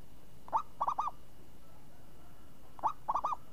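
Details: Champion zebra dove (perkutut) with a crisp voice in the ngayun song style: two cooing phrases, each a single soft note followed by a quick run of three rounded, bubbling coos, separated by about two seconds of quiet hum.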